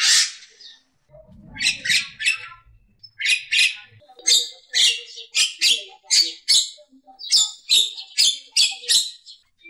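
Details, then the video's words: A Javan myna gives a run of harsh, scratchy bursts mixed with squeaky whistles, repeated roughly every half second, with a brief low rumble early on. "Suara Kicauan Burung Jalak Kebo Kerbau"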